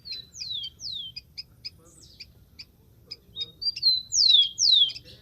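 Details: Wild rufous-collared sparrow singing: a couple of clear whistled notes sliding steeply downward, then thin high chip notes repeated in a loose series, and a pair of loud descending slurs closing the phrase.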